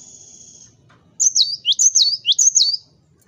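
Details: Cinereous tit in full, persistent song, used as a lure to provoke rival birds into singing: a fast run of high, sharp two-note whistles, each dropping from a thin upper note to a lower one, repeated about five times.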